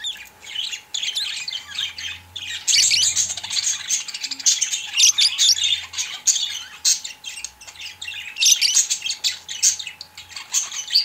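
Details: Purple pet budgerigar chattering almost without pause, a dense stream of scratchy warbles and squeaky chirps with short gaps, over a low indoor hum.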